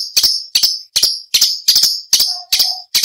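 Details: Orange-bellied leafbird pouring out sharp, ringing, high notes in steady pairs, about every half second, with a brief low whistle near the end, offered as training material for contest songbirds.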